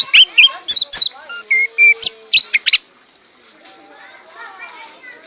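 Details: Red-whiskered bulbul, an accomplished contest bird, singing in a frenzied 'mabok' state until spent. Rapid chirps and clear whistles fill nearly three seconds, then quieter faint sounds follow.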